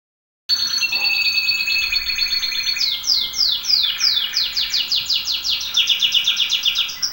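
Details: A domestic canary sings a long, high tutor song for teaching other canaries: rapid trills give way to a series of quick descending sweeps, repeated about four per second.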